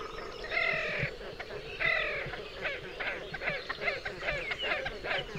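Great Crested Grebe giving two harsh, nasal braying calls, then a quick run of short, clipped ticking notes, over a low rumble of background noise.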